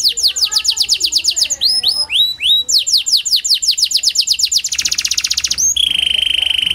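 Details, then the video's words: Kenari panda (a canary) singing as a lure to prompt lazy canaries to sing; fast falling chirps, a few looping slurred notes, then a dense trill and a sustained high buzzy phrase. "Pancingan Kenari Panda AMPUH, Membuat Kenari Malas BUNYI Jadi Bunyi"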